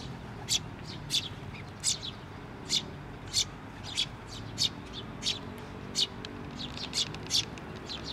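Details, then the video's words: Chick calling from atop a post at a shrine on 16 May 2023, a parent bird returning; sharp high chirps repeated roughly every half to one second over a low background hum. "支柱の上で鳴いてた雛鳥 親鳥が戻って来た"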